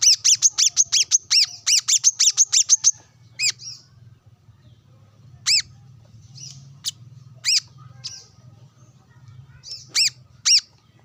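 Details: Brown-throated sunbird calling to rivals while sunbathing among wild birds. It opens with a fast rattling series of a dozen high, ringing chirps, then sparse single notes over a soft hum.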